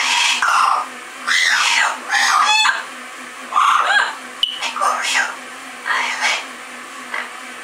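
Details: Several loud, harsh, wavering squawks from double yellow-headed amazon parrots indoors, some sliding up and down in pitch. Calls come in bursts with short gaps, and a faint steady hum sits underneath.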